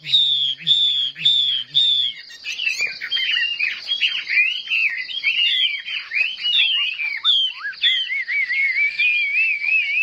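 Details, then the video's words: Chinese hwamei in competitive singing, caged with fanned tail: a few evenly spaced whistles over a low hum, then dense rapid varied whistled song. "Họa mi hót đấu"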